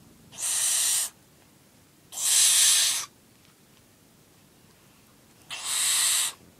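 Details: A 9-week-old barn owl being fed utters three rasping hiss-screeches, each close to a second long, with pauses of one to two and a half seconds between them.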